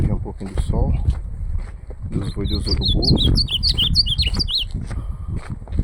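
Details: Song contest (campeada) featuring an ultramarine grosbeak: after low rustling, a lively run of about a dozen bright, slurred whistled notes bounces up and down, with constant low rumbling and thumps underneath.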